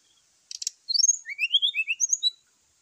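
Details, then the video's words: A brown-chested jungle flycatcher sings its fighting song in the morning to stir up other birds. A short rattling burst comes first, then a fast cascade of sweet whistled notes dropping in pitch and rising again. "SUARA SRDC TARUNG DI PAGI HARI"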